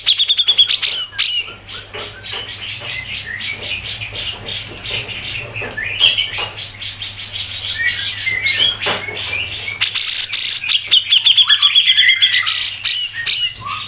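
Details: Grey-cheeked bulbul (cucak jenggot) singing a tight, full 'ngepik' song for songbird tutoring: a long, busy stream of rapid harsh clicks, chirps and scratchy notes, with brief high trilled whistles near the start and end.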